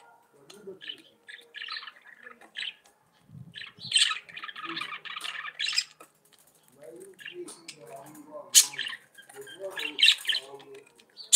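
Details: Several budgerigars chatter in broken bursts: high scratchy squeaks and buzzy clusters, with quieter lower chirping notes between them and short pauses.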